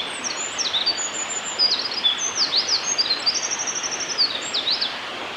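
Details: Eurasian wren song at Hyuga Valley, recorded 27 March 2022: a fast, high-pitched run of sharp chips, thin whistles and quick V-shaped sweeps, growing into rapid repeated trill notes, with a constant rushing hiss behind.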